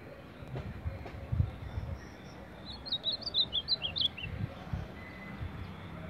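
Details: Ultramarine grosbeak, a champion of baderna-style singing, delivers one rapid burst of a dozen sharp, twisting whistled notes lasting just over a second, rising and falling in pitch, against a faint murmur of background noise.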